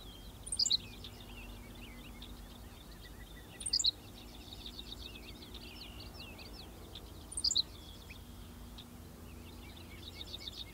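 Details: Henslow's sparrow (Ammodramus henslowii) singing on 19 June 2016 at Goose Lake Prairie State Natural Area, Illinois: a tiny, high, hiccuping two-note song about every three to four seconds, over faint chirps from other birds and a low rumble.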